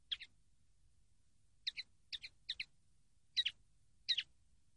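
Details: Common linnet from a training recording, giving short paired chirps spaced irregularly, each double note bright and high, with quiet pauses between them.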